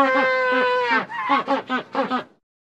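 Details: A group of Magellanic penguins, warm-weather penguins of South America, give a harsh, donkey-like bray: one long drawn-out note, then four short wheezing pulses about every quarter second.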